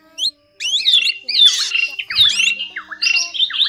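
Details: A drongo lure recording (black, forest or fish-tailed drongo) used to call flocks to trap nets: loud, varied sharp metallic whistles and chattering notes in bursts roughly every second, mostly high-pitched.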